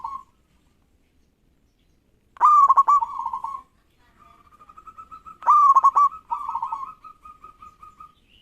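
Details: Eagerly singing local zebra dove (perkutut), meant to make rivals sing at once: two loud stuttered coo phrases, each trailing into a long, even run of soft, evenly spaced mid-pitched notes.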